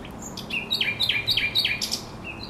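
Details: A thrush nightingale sings by the Żerań Canal, 24 April 2022. Short whistles are followed by four bold, downward-sweeping notes, repeated about three times a second, then softer high phrases.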